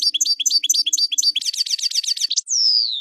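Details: Goldfinch singing, a rhythmic run of bright chirps, then a dense buzzy trill and a long descending whistled note, with a faint low steady tone beneath the opening.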